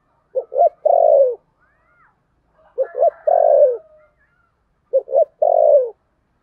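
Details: Spotted dove in contest cooing, Sấm Thổ voice style, repeating its three-part phrase three times about every two and a half seconds: two clipped low coos, then a longer mellow coo falling at the end. Faint soft calls between phrases.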